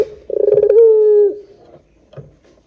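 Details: Single Barbary dove coo in the long 'pelung' style, used as a lure to get doves calling: a rapid rattling pulse run flowing into a smooth held hoot that dips at the close, then near silence with a soft grunt.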